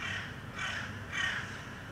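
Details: A Hooded Crow (Corvus corone cornix) calls in the background in Helsinki, Finland, in May 2013, giving two loud, harsh, drawn-out caws about half a second apart over a low rumble.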